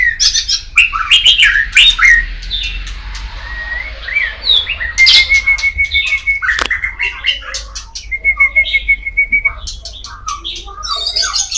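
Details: Kacer poci, the Oriental magpie-robin, in strong full song: fast scratchy chatter and slurred whistles, two long flat whistled notes each held over a second, and bursts of sharp clicking chips between phrases, with a steady low hum behind.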